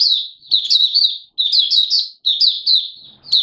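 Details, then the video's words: Oriental white-eye of Malaysian origin, local name mata puteh, giving 'buka' open song in Singapore on 29 March 2023, warm and humid: three fast, high, chattering trills of tumbling sweet notes, almost back to back. "Malaysian Mata Puteh Buka Sing"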